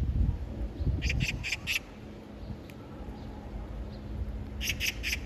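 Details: Oriental magpie calling for a mate while splashing water over its bill and body; harsh, grating 'kkak' notes in a quick burst of four, a pause, then three more, over a low rumbling background.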